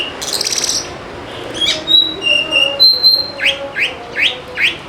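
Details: Oriental magpie-robin (kacer) lure song to make lazy birds sing: a rapid buzzy rattle, steady pure whistles, then a run of five or six rising whistled sweeps about three per second.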